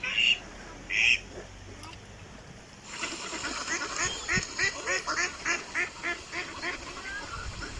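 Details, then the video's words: Ducks in natural surroundings: two short calls open, then after a pause a steady series of nasal quacks repeated roughly every half second over background noise. "Ducks with Natural Sound."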